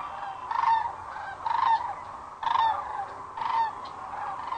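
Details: Sandhill cranes flying in at sunset to roost at Rowe Sanctuary, Gibbon, Nebraska, April 4, 2013, crane cam recording; loud rattling, trumpeting calls burst out about once a second over a steady murmuring flock chorus.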